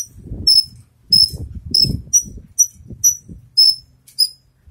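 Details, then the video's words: Javan bush lark, freshly moulted, practising songs: sharp high chirps and short whistled notes repeated roughly twice a second, mixed with low rustling and thumping sounds close by. "branjangan selesai mabung latih bongkar lagu"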